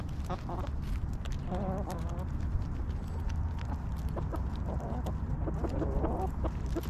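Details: Backyard hens clucking while relaxing in their coop: short soft harmonic clucks scattered through the clip, partly masked by a steady low hum.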